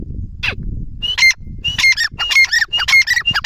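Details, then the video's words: Grey francolin, a lakha bhora teetar, calling loudly: a series of harsh, ringing, repeated phrases, each a sharp rising note followed by a grating burst, about twice per second, with low rustling between. "gray francoline teetar sound | teetar ke awaz"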